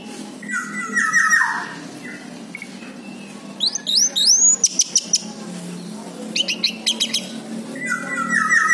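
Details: Song of an orange-headed thrush, played to provoke a stalled bird into answering: drawn-out slurred phrases, then a sequence of rising whistled notes and rapid clicking bursts, with a low hum underneath.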